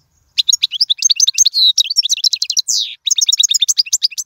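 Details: European goldfinch song used for teaching young birds: a rapid, continuous twittering of high, tinkling notes and short buzzy trills, with a brief nasal rising phrase near the middle, almost without pause.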